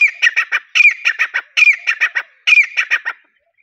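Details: Desi teetar, a partridge: loud harsh grating calls in bursts of four to five rapid squawking notes, each burst opening with a higher ringing note, repeated about every 0.8 seconds.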